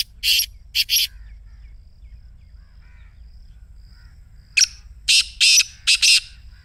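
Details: Two phrases of the Black Francolin 'masti' call, played to coax a caged bird: three rasping notes, a gap of about three seconds, then a click and four grating, buzzy bursts.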